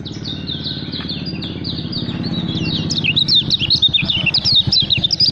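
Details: Lemon-bellied white-eye, a caged contest-prospect bird, delivering fast, high chattering song that grows louder and more jumbled toward the end, with steady low rumbling noise underneath.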